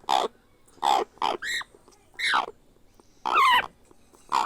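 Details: Grey parrot hatchling being hand-fed, giving loud, harsh, raspy squawks in short bursts, some bending downward, with pauses of about half a second to a second between them.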